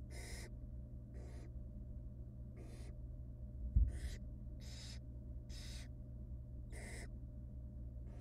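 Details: Barn owl chicks in a wild nest box, fed small bits of rabbit by their mother, give rasping broadband hisses in regular bursts of about half a second, one every second or so, with a constant low hum and one soft bump.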